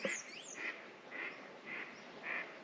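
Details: A duck near an apiary at sunset, about 8 pm on a cold evening when frogs stayed silent, gives five short, nasal quacks, about two per second, with faint high whistled birdsong and soft background hiss.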